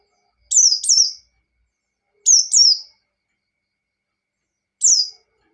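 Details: Singing white-eye, standard 'ngalas' style used to goad rivals: short paired phrases of high, downward-slurred whistles, repeated twice with gaps of over a second, ending on a single falling note.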